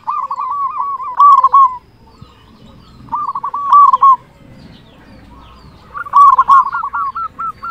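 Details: Local zebra dove, a loud, keen singer used as a lure: three trilling phrases of quick cooing notes spaced about three seconds apart, the last one longer and rising into looping notes.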